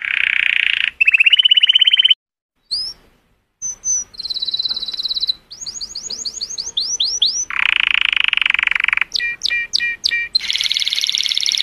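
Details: Color canary singing cheerfully, song meant to stimulate females: varied high phrases of fast buzzy trills, rapid repeated rising whistled notes and sharp downward sweeps, with brief pauses between sections.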